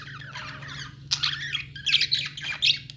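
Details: Pet-store budgerigars keep up busy chatter of scratchy chirps and squawks, bursts growing louder after the first second, over a constant low background hum.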